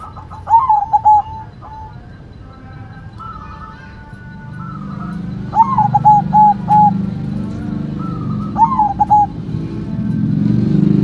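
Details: Zebra dove of the white perkutut kind singing its stuttered cooing phrase three times while a low rumbling noise grows louder toward the end.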